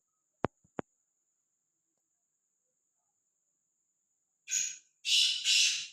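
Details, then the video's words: Harsh, scratchy call of a free-roaming, unafraid black francolin: after two sharp clicks and a faint steady high whine, three rasping bursts come close together at the end. "Azad Gumna vala Bedar Kala Teetar"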